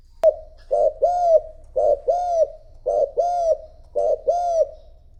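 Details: Spotted dove used as a decoy, cooing to call in and provoke rival doves; paired low hooting coos repeated about every second, each a short note followed by a longer arched coo, with a click at the start.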